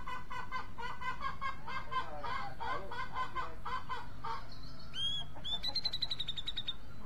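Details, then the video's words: Grey-cheeked bulbul: a stretch of low, rhythmic clucking pulses, then two upswept whistles followed by a rapid, high, ringing trill near the end, over constant hiss. "Cucak jenggot mencari teman karaoke"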